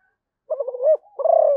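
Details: Zebra dove from Malaysia: a short bubbly run of rapid cooing notes followed by a longer, fuller rolling coo, clean with no other sounds.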